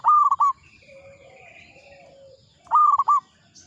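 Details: Local zebra dove, an old bird, gives two short rolling coo phrases, each a quick stutter of three or four notes, separated by about two seconds of quiet with faint low tones.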